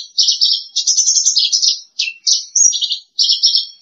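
A Horsfield's bush lark sings a fast, scratchy, high-pitched warble in short chattering bursts of about half a second, with brief pauses between phrases and no other sounds.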